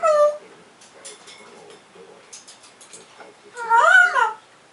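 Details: A pet African grey parrot indoors ends with a loud, warbling, harmonic call that rises and falls. Before it, a person talks quietly in a small room.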